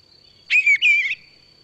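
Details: Eastern Bluebird, heard in parks, fields and cemeteries around Montreal in spring: a soft, warbled phrase of two slurred, mid-pitched notes over about half a second, a thin steady high tone humming underneath.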